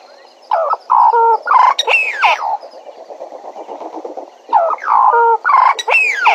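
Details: Bennett's woodpecker recorded at Djuma, giving two bursts of loud, nasal, wavering calls with swooping upward and downward slides, separated by a quieter stretch of mixed background birdsong.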